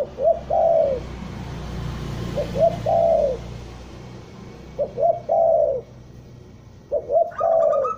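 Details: Spotted dove from Bandung calling as a trapping lure. Four phrases of two short coos and a long falling coo come at intervals of about two seconds. A higher tonal sound joins near the end.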